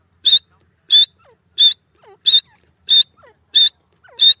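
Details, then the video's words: Francolin repeating one sharp, high, grating note at a steady pace, about every two-thirds of a second, seven times, with faint lower slurred notes between calls; no other sounds. "the best teetar best awaaz"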